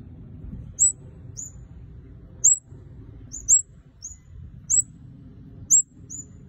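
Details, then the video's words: Red-headed kemade in lively song: a string of high, sharp, down-slurred chirps, sometimes paired, coming every second or so across several seconds, with a steady low hum in the background. "Burung Kemade Kepala Merah Gacor"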